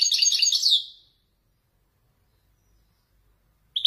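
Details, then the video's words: Moroccan Wajdani goldfinch, a caged male, delivering Marrakech-style descending song: a bright one-second flurry of rapid chirps that fades away, a long silence, then the sharp start of another phrase at the very end. "حسون ويداني يتفنن بالنزولات المراكشية الأصيلة"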